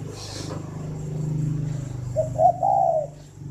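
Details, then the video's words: Captive spotted dove at a bird farm near Hanoi, Vietnam, in the morning: a low droning hum fills the first seconds, then one soft stuttered coo rolling into a longer note near the end. "tiếng chim cu đẻ"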